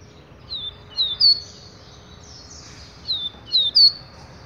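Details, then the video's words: Double-collared seedeater singing the "XT" song type: two quick bursts of three sharp, high, downslurred chirps with a soft hissing trill between them, over low background hiss. "COLEIRO XT"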